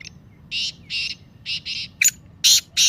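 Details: Black francolin calling voice for stimulating captive teetar: a long string of about eight harsh, buzzy, grating bursts, in pairs and singles, the later ones sharper and louder, quiet hum beneath.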